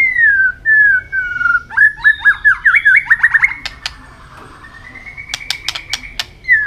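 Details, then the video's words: White-rumped shama singing hard in contest, tail flicking: slurred whistles, then a fast run of looping rising notes, followed by clicks under a steady whistled tone. "chòe lửa hót đập đuôi liên tục,kích chòe lửa hót đấu căng lửa sổ nhiều giọng"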